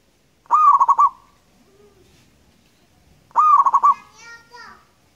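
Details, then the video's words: Local zebra dove in Indonesia, singing loudly and long, gives two stuttered coo phrases of rapid beats about three seconds apart, the second followed by a string of falling, nasal calls. "perkutut gacor lokal alam suara nyaring panjang"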